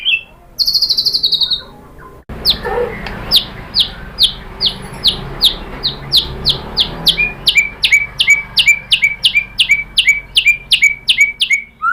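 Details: White-rumped shama lure song for provoking another shama: an early high buzzy phrase, then a long run of short sharp ticking notes repeated several times a second, quickening toward the end.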